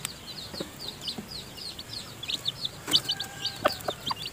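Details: In the nest, a hen feeds her newly hatched seven-tailed chicks. The chicks give a run of thin, high, slurred peeps, and sharp clicks and a few brighter chirps come toward the end.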